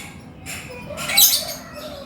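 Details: Chattering male lovebird, ngekek style: harsh, raspy squawking bursts and shrill squeaks packed closely together, loudest mid-phrase, with a low background hum.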